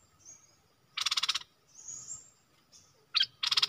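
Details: Captive decoy bulbul calling to lure a rival into a fight, 31 December 2021: loud rasping, rapidly pulsed bursts repeated about every second, with thin high whistles between them.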